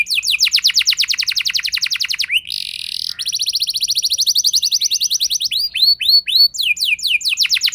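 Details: Canary singing a rolling lure song meant to provoke other canaries: fast rattling trill, a brief harsh buzzy burst, another long rapid trill, then clear descending whistled notes repeated near the end.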